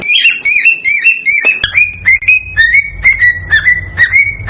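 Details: Excited song of a male cockatiel meant to spur the female into mating and breeding, made of quick repeated whistles that rise and bend, roughly two per second, with a low background hum partway through.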